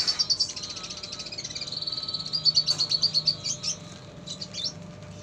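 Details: Busy red siskin singing in a tutor recording that also carries lovebird sounds: a fast, buzzy high trill of rapid chirps that swells, then breaks into a few scattered twittering notes.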